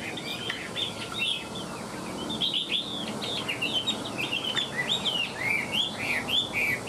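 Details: A caged Chinese hwamei, fanning its tail and flicking its wings, sings a loud, rich, varied run of whistled and slurred notes, phrases tumbling quickly with little pause, over faint background hiss.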